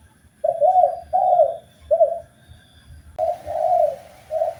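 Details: Indonesian tekukur, the spotted dove, on a master recording for cage birds: three low coos, then after a brief gap three more rolling coos over a sudden hiss of background noise.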